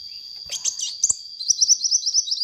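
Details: Active sunbird recorded as lure audio: a couple of looping high whistles with clicks, then a quick regular series of short bright chirps to the end, over a steady thin tone.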